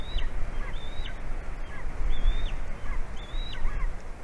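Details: Golden eagle calling for its partner during mating, Latvia, 9 February 2020, 11:09 AM; level high whistles ending in falling slurs come in slow pairs, partly masked by strong low rumbling noise.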